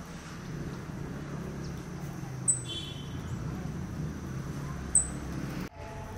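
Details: Snowy-browed flycatcher feeding and calling at Rongtong, West Bengal: two thin, very high, sharp call notes about 2.5 seconds apart, over a low steady rumble and faint high whine.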